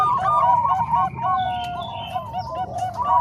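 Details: Combined Bangkok and Cemani Kolbuntet zebra dove voices used to train other doves; fast, rolling cooing notes tumble over one another in an unbroken stream, several birds layered with a steady low background hum.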